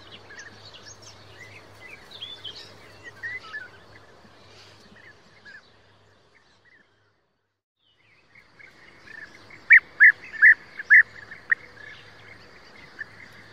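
European bee-eaters giving rolling, liquid prruip calls, several birds overlapping against a steady background hum.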